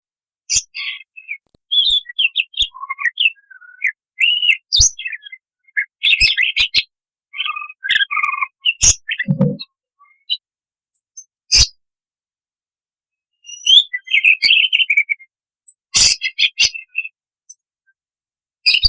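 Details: Budgerigar (Melopsittacus undulatus), warbling song.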